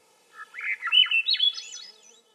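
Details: A Swainson's thrush sings one ascending phrase of liquid, whistled notes, each slurred note stepping higher until the phrase ends in thin, high tones; quiet background.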